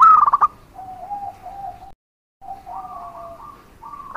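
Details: Local zebra dove song played as a lure to draw replies from other doves: a quick stuttered burst followed by lower wavering coos, a short pause, then rising trilled coos.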